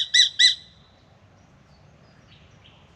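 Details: Spangled drongo visiting a backyard birdbath in Australia in the morning: two loud, harsh nasal notes in quick succession, followed by faint soft whistles and near silence.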